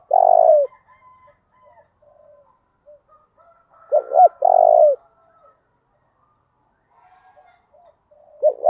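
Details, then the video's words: Spotted dove giving 'thổ đồng' style cooing meant to provoke males into responding: a long low coo, a pause of three seconds, then a quick double note and drawn-out coo, with faint softer coos between. "Chim cu gáy giọng thổ đồng thúc dút bổi nghe nhanh đấu lại và nổi nhanh tróng"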